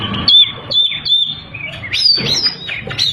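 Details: Oriental magpie-robin song meant to provoke rival birds, short high pure whistles followed by loud swooping slurred notes.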